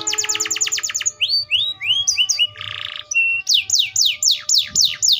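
Atlantic canary singing a fast, varied song: a rapid trill, rising whistled notes, a buzzy burst, then a run of bright descending sweeps.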